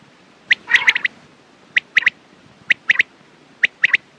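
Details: Quail: one rough nasal burst, then evenly spaced groups of three sharp clicking notes, a group about every second.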